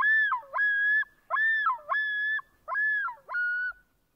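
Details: A Lithuanian loon, one of four species occurring there, utters ringing, yodel-like phrases: level tones broken by abrupt dips, repeated roughly every second, ending with a single steadier note before fading out.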